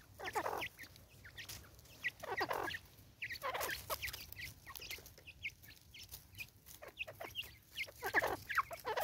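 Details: Harsh rasping cackles from an angry female Natal spurfowl, South Africa, 2024, coming in grouped bursts about every second or two, separated by short scattered clucks.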